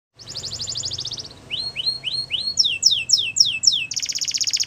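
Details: Wild canary singing in the morning: a high buzzy trill, then a series of down-slurred whistled notes, each sweeping lower, switching to sharper descending notes and ending in a fast high rattling roll; faint low background hum.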